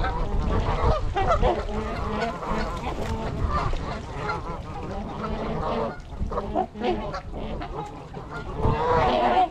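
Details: Wintering trumpeter swans, 26 adults and 16 juveniles, at Gallup Park, Ann Arbor, Michigan, 8 January 2022, taken with a GoPro: rapid, irregular nasal honks from several birds, with wind rumble and a louder burst near the end.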